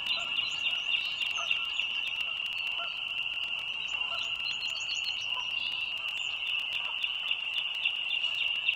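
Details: Wild pair of bald eagles at their nest beside the Dulles Greenway toll road in northern Virginia, USA, on 21 March 2023 at 19:16. Thin, high chirping notes come in quick stuttering bursts over a steady high-pitched hum.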